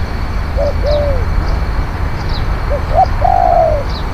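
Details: Spotted dove decoy cooing, fainter and more distant: a few soft double coos and longer falling coos, with faint high chirps of other birds and steady background rumble.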